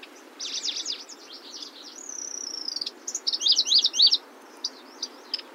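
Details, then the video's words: Locustella grasshopper warbler: a jumble of quick notes, then a long thin drawn-out whistle, followed by loud zigzag bursts and a few scattered chips, light hiss behind. "Сверчок. Голоса птиц"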